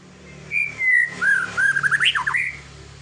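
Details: Ngelowo-style song of a white-rumped shama. A long, level whistle gives way to a string of bright, rapidly varied whistled notes that rise and fall, over a faint low hum.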